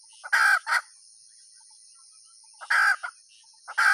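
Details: Short burst of a hen's call: a harsh squawk followed by a clipped note, a quiet gap of about two seconds, then more squawks begin, with a faint steady high whine behind.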